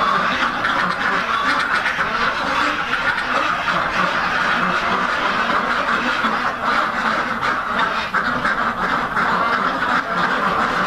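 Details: Purebred Rouen ducks in a hatchery breeder flock produce a continuous wall of coarse, overlapping quacks, many birds calling together at an even, constant level with occasional slightly louder individual quacks standing out.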